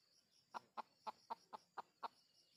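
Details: Seven soft, evenly spaced clucks from red junglefowl at a lure site for wild junglefowl, roughly four per second, set against a faint high insect whine.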